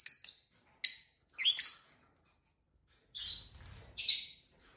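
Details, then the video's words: Pet lovebirds, several kept together, chirping at dinner time: short high, sharp chirps in small clusters with pauses between, and faint low rustling or pecking sounds. "lovebird singing & chirping sounds"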